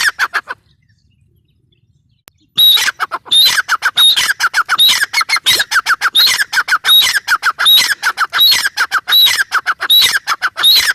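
Grey francolin giving a loud, harsh, ringing series of rapid notes, repeated steadily for several seconds after a brief pause.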